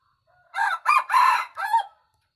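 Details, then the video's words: Wild red junglefowl crowing: one harsh, rasping crow of four linked syllables lasting about one and a half seconds, the third syllable longest and loudest, with short gaps between parts and quiet surroundings. "Suab Qaib qus Qua"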